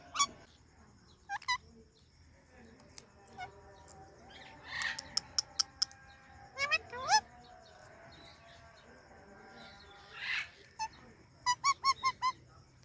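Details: Indian ringneck parakeet sharing space with an Alexandrine parrot: scattered sharp harmonic chirps and squawks, some in quick clusters of three or four, with a few rougher calls between them over a low background hum.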